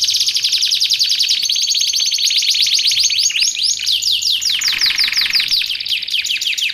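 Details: Canary singing for training and luring: a long, dense high trill with fast sweeping notes, then a lower buzzy rattle, while a soft low rhythmic hum runs underneath.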